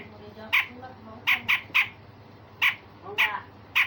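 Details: Grey-cheeked bulbul uttering coarse rasping notes used as a tutor for other songbirds: scattered harsh buzzy bursts, some in quick pairs, against a faint low hum.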